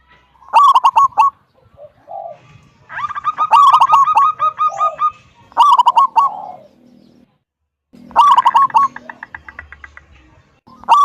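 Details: Loud-voiced local zebra dove, kung style, singing to lure other doves; rapid cooing bursts in quick succession, some overlapping with longer chattering note runs, short pauses between.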